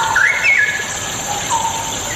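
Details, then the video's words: Straw-headed bulbul song used as bait to get lazy birds singing: a few short whistled, slurred phrases rise and fall over a steady loud hiss like rushing water. "100% AMPUH UNTUK PANCINGAN CUCAK ROWO MALAS BUNYI"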